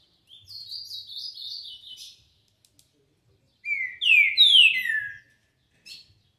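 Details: Green-winged saltator, called trinca-ferro, singing a song described as 'tio João dobrou': clear whistled phrases, a descending run of slurred notes then loud downslurred whistles, with short pauses between phrases.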